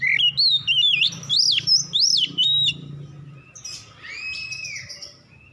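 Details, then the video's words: Oriental magpie-robin at dusk delivering loud, clear whistled phrases that rise and fall in quick succession, then softer notes and one long arching whistle, over a faint low background hum. "KICAUAN BURUNG KACER DIKALA SENJA"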